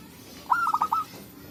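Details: Single phrase from a local zebra dove in forest where birds call back and forth, used as a trapping lure: a bright rising note breaking into four quick bubbling coos, lasting about half a second.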